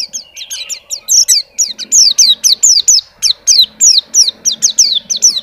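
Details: Champion contest white-eye from Indonesia in continuous song showing its fill: a rapid, even series of high, falling whistled notes, about three per second, after an opening flurry of twittering.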